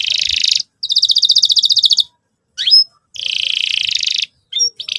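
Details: Canary song for young canaries learning to sing: fast, pulsing high trills in long bursts broken by short gaps, with a single sharp rising-falling chirp between them and brief flicking notes at the end.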